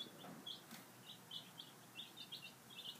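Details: Peeping of five-day-old baby chicks having breakfast: short high chirps in quick irregular succession, several overlapping, over a soft low rumble.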